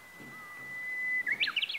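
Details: Japanese bush warbler singing unseen on a mild, fine day in northern Harima, Hyogo, Japan: a long, steady whistled note held over a second, then a quick, bright flourish of higher notes.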